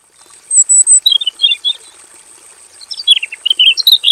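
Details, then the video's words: Robin singing actively in a simple aviary cage, a full-variation song used as master training audio: sweet high whistles and short twittering notes, a pause, then a busier run of falling and rising chirps, over a steady high-pitched hum. "KICAU SUARA MASTERAN BURUNG ROBIN GACOR FULL VARIASI"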